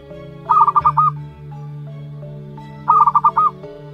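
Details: Young zebra dove, one month old, of local wild stock, utters two clipped phrases of rapid pulsed coos about two and a half seconds apart, with music playing throughout.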